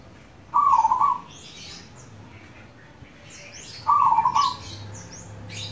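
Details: Local zebra dove used as lure audio to set other doves singing gives two trilled, bubbling coos about three seconds apart; twittering of other small birds at higher pitch.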